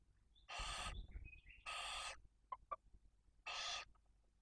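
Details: Barn owl at the nest in Cabañeros National Park while a female tends two chicks one and four days old with prey from the male. Three harsh hisses mixed with short whistled chirps and a couple of sharp clicks.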